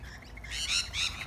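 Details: Tame lorikeets visiting to feed on bread give two short, harsh, screechy calls in quick succession, high and noisy, with a low background hum.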